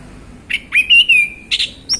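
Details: Relaxed afternoon ngeplong song from a male orange-headed thrush, sung to encourage other birds: short slurred notes lead into a long, wavering whistle, followed by a burst of buzzy notes and a high note.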